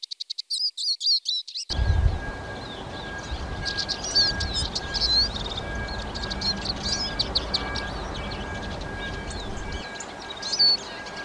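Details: Eurasian siskin song: a clean burst of quick high chirps at the start, then the twittering continues faint and partly masked under a steady broadband hiss of background noise.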